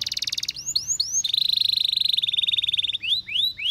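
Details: Singing canary delivering a buzzy rapid trill, a few upswept curved whistles, then a long, even, fast rolling trill that breaks into rising slurred notes.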